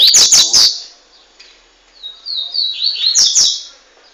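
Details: Double-collared seedeater from Montanha, Espírito Santo, Brazil, one year three months old, with fast, strong song: a loud burst of high notes opens, then quiet follows, then a rising run of quick buzzy notes ends with sharp clicks.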